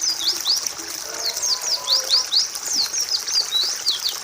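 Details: White-eye (pleci) song, kept as a training recording for other songbirds: rapid, continuous high chirps and short slurred twitters, each sweeping sharply up or down, repeated several times per second, with faint lower notes beneath.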